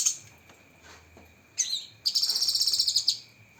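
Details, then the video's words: Cucak kinoi singing 'tembakan pedas' filler: a few scattered sharp chirps, then a rapid run of piercing high notes lasting about a second, each pulse crisp and evenly spaced. "Masteran Burung Cucak Kinoi Full Isian Tembakan Pedas"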